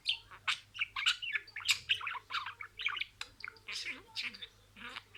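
A budgerigar chatters in a rapid run of high, scratchy warbles and clicks, with short word-like phrases mixed into its twittering.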